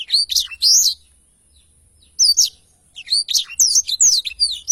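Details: Clear training recording of a black-throated canary's rolling song: a short burst of bright high notes, a gap of over a second, a brief pair of chirps, then a quick cascade of slurred twitters.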